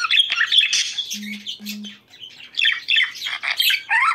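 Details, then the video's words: Budgerigars warbling to stimulate breeding; scratchy chirps and squawky notes, broken midway by two short low electronic-sounding tones before the chatter resumes. "ESTIMULA CELO PERIQUITOS"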